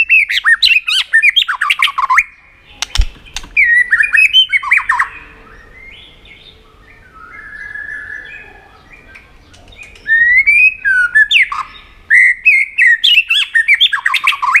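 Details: Tail-flicking White-rumped shama giving contest-stimulating song: rich bursts of rapid varied whistles and chatter, a long quieter middle stretch with soft warbles, then renewed energetic singing.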